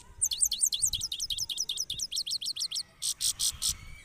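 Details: Caged European goldfinch singing in a red cage: a rapid run of repeated sharp, high twittering notes for about two and a half seconds, then several harsh, buzzy bursts.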